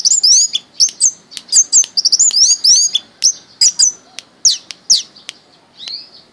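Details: Pet orange-headed thrush, kept since it was small, rattling off rapid, high, slurred chirps in quick succession, then thinning to a few spaced, sharp down-slurred notes.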